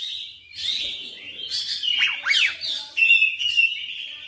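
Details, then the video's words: Full repertoire song of an insistent oriental magpie-robin, a continuous stream of varied whistles with rapid downward-sweeping notes in the middle and a steady clear whistle toward the end. "KACER NGOTOT GACOR FULL BONGKAR MATERI"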